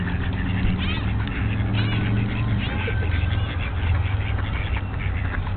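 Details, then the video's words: Ducks fighting during spring break 2009; harsh, nasal calls with short rising and falling strokes repeat irregularly over the span, set against a steady low rumble of background noise. "70 Seconds of Duck fight"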